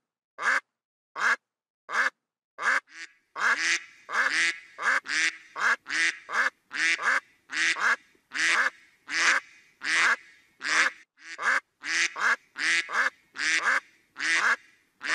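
A duck quacks steadily, loud, harsh nasal quacks repeated more than once a second, running together into a continuous series.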